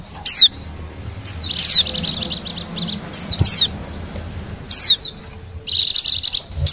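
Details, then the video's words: Wild Bali white-eye, recorded as a lure sound: isolated sharp down-slurred whistles alternating with longer high, rattling chatter phrases, separated by quiet gaps. "suara pikat dan pancingan bunyi burung pleci bali liar"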